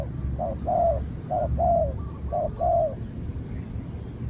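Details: Trained spotted dove answering a wild rival spotted dove during a standoff; three paired coo phrases, a brief note then a longer falling one, followed by quiet with low rumble.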